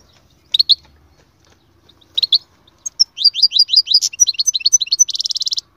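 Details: Canary in strong song: two short chirps, a pause, then a quick cascade of high slurred notes that ends in a rolling, buzzy trill.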